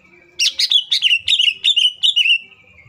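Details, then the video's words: Cucak ijo, green leafbird, singing a lure to provoke other leafbirds: a fast run of about ten bright chirped notes, each a quick downslurred whistle, delivered in under two seconds. "CUCAK IJO FULL ISIAN PALING MEWAHH❗AMPUH BUAT PANCINGAN IJO AGAR CEPAT BUNYI DAN EMOSI!"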